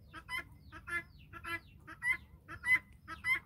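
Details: A farm flock of guineafowl following the hen, giving loud harsh rasping calls in a regular rhythm, roughly two each second.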